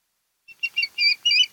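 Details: Osprey on a nest camera at Kent Island, Maryland, 10 August 2018, 02:30–03:30; a soft peep then four loud, slurred, wavering high whistles in quick succession over faint hiss.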